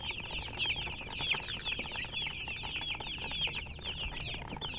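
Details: Colored chickens peeping in a crowd; high chirps, some clearer downward-sweeping notes standing out above the steady overlapping chatter.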